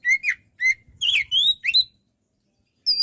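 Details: A kacer (Oriental magpie-robin) giving a short gacor phrase: a few clear whistles and rising slurs within two seconds, then silence and one high note.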